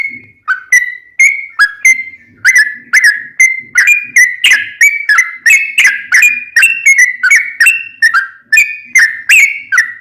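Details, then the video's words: Sooty-headed bulbul singing for caged-bird training, steady run of short bright whistled notes, alternately rising and falling, about two or three per second, with faint low noises behind. "Trucukan gacor tarung ROPEL panjang, masteran burung macet bunyi dan liaran pasti nyaut"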